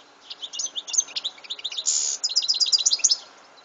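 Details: Continuous European goldfinch song: dense, rapid, tinkling twittering with a harsh buzzy rasp in the middle of the phrase.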